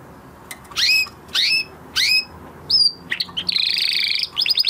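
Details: Canary, a male singing after moulting: three loud downward-sweeping chirps about half a second apart, followed by a fast rattling trill and quick bubbling notes.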